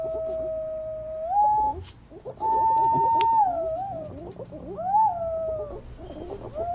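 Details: Green pigeon call used as a lure for green pigeons: long, clear, flute-like whistles that hold steady and then rise or bend. Softer wavering notes lie underneath.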